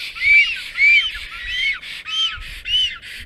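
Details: Nesting black stork pair greeting each other on 30 April 2022 shortly after 12:34 PM, a strange female also arriving; six hoarse, arching whistled notes roughly every half second, each rising then falling, with a wheezy edge.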